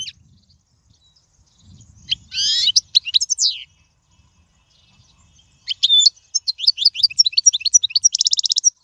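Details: Royal-style European goldfinch song, played for teaching young birds: scattered bursts of buzzy, sliding twitters separated by silence, ending in a rapid series of repeated high chirps.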